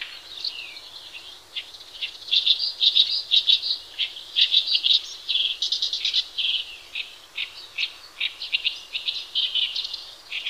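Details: Horsfield's bush lark singing vigorously, as used for training other birds' song, sings nonstop: a rapid, varied run of high chirps, short trills and buzzy notes with barely a pause.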